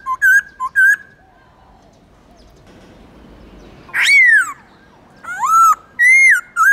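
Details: Black-throated laughingthrush performing its forest-voice song for training captive birds: short whistles, a pause, then a sweeping rising-falling whistle and several loud, wavering whistled phrases.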